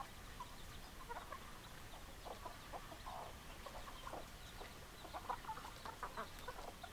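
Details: Hens clucking at a moderate distance: soft, scattered short clucks and a couple of longer calls rising from a flock, fairly quiet beneath steady background noise.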